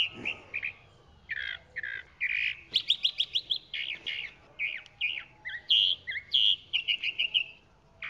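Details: A chalk-browed mockingbird sings a continuous jumble of buzzy phrases, rapid high chips and whistled slurs, changing every second or so, over a faint low hum.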